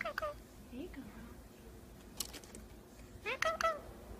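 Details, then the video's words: Talking pet Indian ringneck parakeet indoors: a couple of quick speech-like syllables and low mutters, a pause with a brief noisy burst, then two bright chirpy word fragments close together. "the Talking Indian Ringneck Parakeet (Parrot) Talking, Kissing"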